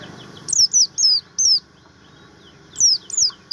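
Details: Javan grey-throated white-eye, buxtomi type, uttering drawn-out, thin, down-slurred whistles, four in a quick row, a pause, then two more, very high and clear.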